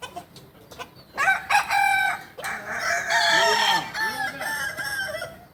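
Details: At a kukuak balenggek practice crowing contest in Panyakalan, Solok, a rooster gives two sharp opening notes and then a long crow of descending, undulating syllables, overlapped by other crowing roosters.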